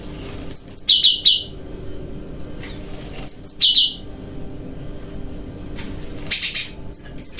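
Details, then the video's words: Cucak rante, a bulbul, sings while bathing at night in kapas tembakan and besetan style practice: a high trill falling into a lower buzzy trill, given twice, then a brief louder high burst near the end. "Burung Cucak Rante Mandi Malam Sambil Berkicau Riang Gembira , Latihan Kapas Tembakan Dan Besetan"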